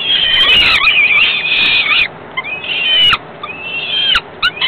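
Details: Nestling falcons fed by the female a few hours after ringing: a dense two-second stretch of grating screams, then thinner wavering cries broken by brief pauses and a few sharp knocks.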